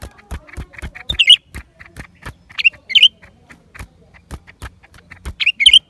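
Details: Lesser green leafbird singing, recorded January 2023: short, bright twittering phrases at about one-second gaps, set against a steady run of sharp dry clicks and taps.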